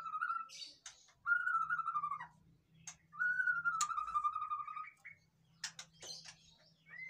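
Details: White-rumped shama singing, meant to spark lazy captive birds: long clear whistles drawn out and slightly falling, broken by sharp clicks and brief harsh notes, over a faint low hum.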